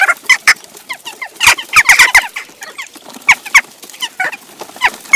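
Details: Several Western jackdaws taking over a feeding station in Recke, Germany, on 18 June 2021, bickering noisily, parents bringing their young. Dense, overlapping short harsh 'tchak' notes tumble out in quick clusters, broken by scrabbling bursts of wing and claw noise.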